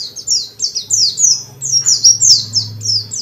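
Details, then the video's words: Dakun white-eye kept as a song bird, singing hard to provoke other white-eyes to reply; loud, evenly paced high downslurred chirps repeated about three times a second, with a faint low hum behind. "Burung pleci dakun gacor banget,ngalas rapet nyambung isian banyak"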